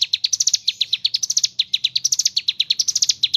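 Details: Mountain leaf warbler chattering rapidly: bright high chirps in short upward-stepping runs, repeated back to back in ngebren style.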